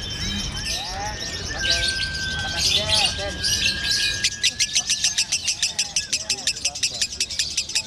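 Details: Caged lovebird of the 'konslet' style, praised for an extreme singing style and voice; high chattering notes and a thin whistle give way to a fast run of sharp, evenly spaced clicking chirps over background noise.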